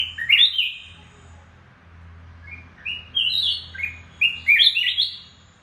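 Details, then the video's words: Red-whiskered bulbul, a captive lure bird during moult; short bright warbled phrases with quick rising and falling notes, given in a burst at the start then several clustered phrases later, over a faint low hum. "Chào mào núi mồi đang thay lông"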